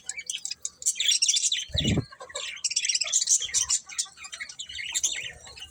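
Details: Budgies chirping in a lively, nearly nonstop chatter of high twittering notes, interrupted once by a short low thud.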